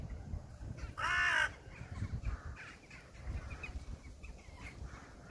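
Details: A crow gives one loud, harsh caw with stacked bands, then fainter calls from other birds over steady low rumble outdoors.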